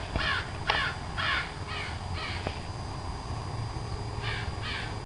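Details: Crow uttering a string of harsh, slightly downslurred caws, some grouped in pairs, over a low background rumble with faint clicks.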